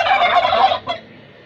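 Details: Answering a shouted takbeer, a turkey gives a long rattling gobble of nearly a second, followed by a brief final burst, then near silence.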